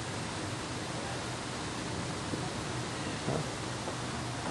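Even, rushing broadband noise like falling water fills the recording, with no animal calls.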